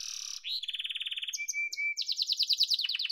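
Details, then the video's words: Yellow domestic canary song: a high buzzy opening, one rising sweep, a steady rolling trill, a thin sustained whistle with short flourishes, then a fast run of bright repeated notes. "Muhteşem Kanarya Sesi: Sarı Kanarya'nın Efsanevi Ötüşü"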